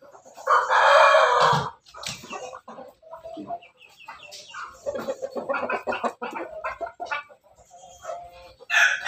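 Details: Backyard rooster from a Pelung, Bangkok and ketawa cross gives a short loud crow of about one second, followed by a run of softer choppy clucking notes.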